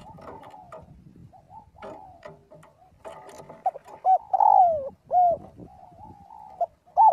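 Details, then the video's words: Spotted dove calling the flock in daily voice practice; quiet muffled cooing first, then clearer coos with a long falling middle note and a short closing coo. "tiếng chim cu gáy gọi/chim cu gáy gọi bầy luyện giọng mỗi ngày"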